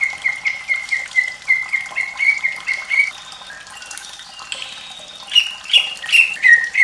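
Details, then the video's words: White-rumped shama, played with running water to coax young or reluctant birds into singing; a steady series of repeated whistled notes, then louder varied phrases over a constant splashing water background. "MURAI BATU SUARA PEDAS Plus gemericik air perangsang bunyi UNTUK TROTOL,BURUNG BAHAN & MALAS BUNYI"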